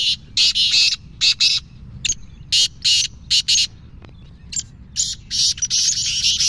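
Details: Black francolin, a rare bird of Sindh, calling with harsh, grating bursts in clipped groups, short rasping notes separated by brief gaps, over steady low background hum.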